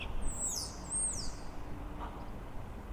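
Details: Male Common starling (Sturnus vulgaris) singing from a neighbour's building during lockdown, seen from a window, gives two thin, very high whistled phrases sliding downward within about a second over low rumble; song attracts females and warns rivals the territory is occupied.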